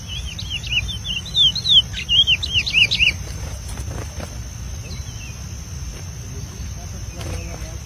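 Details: Chestnut-bellied seed finch, a preseiro-style singer in the wild in scrubland, delivering a rapid run of clear whistled, slurred notes over about three seconds, then quiet with faint insect hum and low rumble.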